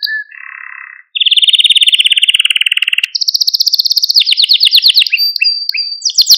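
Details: Maltese canary male singing to rouse other canaries: short low trill, a long rapid rolling trill, then high fast rattling trills and brief whistled notes in quick succession.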